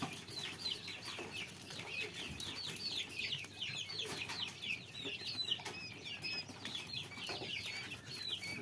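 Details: Young quail chicks cheeping continuously, many short high rising and falling peeps overlapping in a dense chatter, with steady low background hiss.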